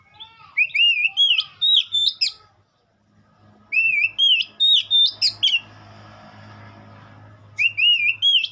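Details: White-rumped shama singing repeated phrases of wavering, slurred whistles ending in sharp high chips, three bursts separated by short pauses, with a low steady hum in the background.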